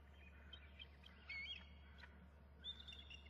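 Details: Eagle at the nest with eggs: an adult rises off the eggs, stands on the prow, flaps and calls while its mate calls too. Faint high, thin piping notes and short chips come over a steady low hum.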